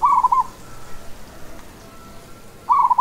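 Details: Local zebra dove (perkutut) gives soft, rolling cooing phrases, one at the start and another after about two and a half seconds of quiet.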